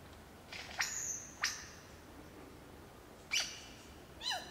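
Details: Superb lyrebird song recorded in Olinda State Forest Reserve: sharp, loud downward-sweeping notes like cracks, spaced irregularly about one to two seconds apart, ending with a softer descending harmonic phrase.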